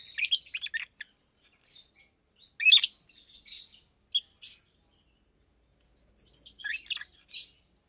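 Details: Caged adult Fischer's lovebirds, a pair nearly two years old, chirp in daytime: loud clusters of shrill squeaks separated by quiet gaps, then a long scratchy twittering run near the end.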